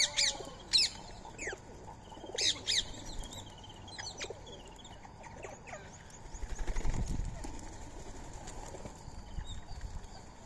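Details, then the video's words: Wild Indian ringneck parakeets at a morning feeding of soaked rice and corn, 20 March 2025; two sharp screeching bursts early on, then quieter scattered calls over rustling and thumps. "Today's Indian Ringneck Parrot Feeding | Natural Bird Sounds"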